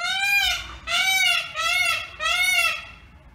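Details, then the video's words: An Indian peafowl peacock gives four loud, nasal, wailing calls in quick succession, each rising and falling, about one per second, with no other sounds. "Peacock Sound"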